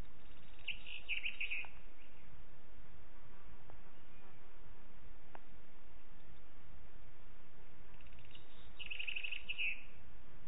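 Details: A booted eagle in Parc Natural dels Ports, recorded on 13 June 2021 at 08:52, gives two bursts of shrill, rapid, high chattering notes about eight seconds apart, over steady low rumbling background noise.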